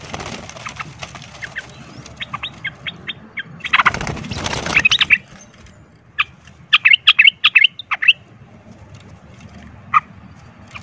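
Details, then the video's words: Sooty-headed bulbul fighting song that provokes other birds to fight; scattered short bright chirps and a quick burst of whistled notes, interrupted by a loud rustling or flapping noise. "pancingan trucukan ROPEL TARUNG ini bikin trucuk lain seketika ikut EMOSI tarung"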